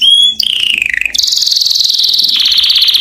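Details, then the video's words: Canary song to attract a mate: a whistled note sliding downward, then a dense, fast buzzy trill held steady and loud to the end. "The strongest canary twitter to hear and irritate females to mate"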